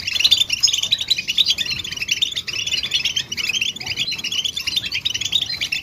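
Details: European goldfinch chirps used to encourage males out of silence: a crowded, sparkling twitter of quick high notes and trills, loudest at the opening, then steady and busy.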